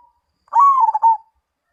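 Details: Zebra dove singing a single cooing phrase: a rising, held note breaking into quick throaty stutters and ending on a short, level coo, with quiet around it.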